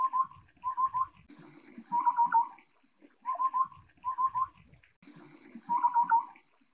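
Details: Taiwan scimitar-babbler (Pomatorhinus musicus), a Taiwan endemic of low-elevation shrub and grass, gives hollow, low whistled notes in quick triplets. Each series closes in a longer rolling phrase, and the pattern repeats twice over a faint background hum.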